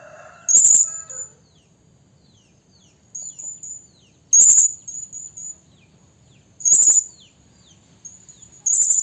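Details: Blue-crowned hanging parrot, a female calling males as a trapping lure: isolated sharp, very high chirps roughly every two seconds, with softer thin notes between and a brief lower sound at the start.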